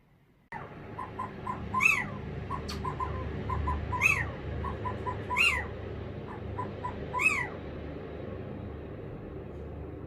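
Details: Captive pet Little Owl indoors on a hot day, screaming and calling, possibly for other little owls: four harsh rising-then-falling screams roughly every two seconds with soft notes between, over a steady indoor hum.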